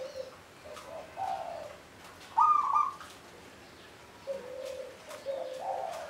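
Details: Zebra dove of local stock at Candi Rimbi, Jombang, among small hills below Mount Anjasmoro, giving low mellow coos, a sudden louder cluster of rapid notes midway, then more soft coos over a faint hiss.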